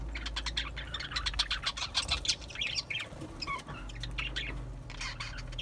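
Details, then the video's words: Lively budgerigar song of rapid, bubbling chirps and short squeaky notes, busiest in the first half, then sparser twitters over a low background hum. "Beautiful Australian Parrots Beautiful Australian Birds Beautiful Singing Birds"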